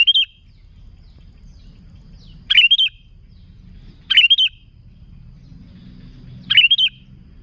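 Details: Sooty-headed bulbul song used to lure other bulbuls: short bright phrases of two or three notes with a falling warble, given about every one and a half to two seconds over faint low background hum.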